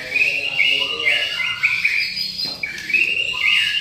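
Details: White-rumped shama singing energetically (gacor): a run of bright whistled and chattering notes, mostly high, with a sharp burst midway and faint low background noise.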